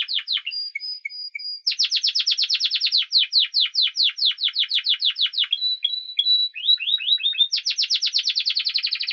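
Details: Spanish timbrado canary in full song, loud and close: short whistled notes, then long series of rapid descending sweeps broken by a brief chattering phrase, resuming with fast sweeping notes.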